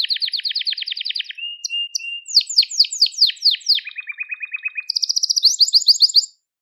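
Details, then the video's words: Crested Gloster canary song with a fast rolling trill, soft lower notes, a string of loud descending slurs, a lower rattling tour and a closing bright high trill. "Muhteşem Tepeli Gloster Kanarya Ötüşü | Gloster Kanarya Sesi"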